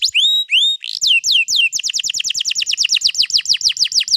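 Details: Canary song recorded 21 April 2022, a long roll meant to lure another canary to sing: a few upslurred whistles and downward-swept notes speed up into a rapid rolling series of descending notes, with faint low clicks behind.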